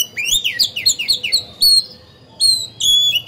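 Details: Oriental magpie-robin used as a singing decoy to stir other birds: a quick run of repeated downslurred whistles, then a few clear, level, high whistled notes separated by short pauses.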